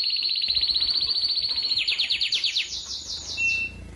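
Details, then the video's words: Belgian canary song for training young birds, a recording of several clean, clear songs: fast trill of short rising notes shifting into lower, slower repeated phrases, then a brief steady high whistle near the end. "ENCARTE CANÁRIO BELGA PARA FILHOTES"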